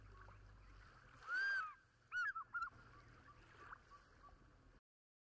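An African fish eagle gives one loud, ringing, drawn-out note, then three or four quick yelping notes, with fainter echoing calls afterwards and a low rumble early on.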